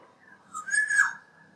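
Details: A Black-naped oriole singing outside a bedroom gives a single brief, fluty whistled phrase, rich and slightly rising before dropping away, against a quiet background.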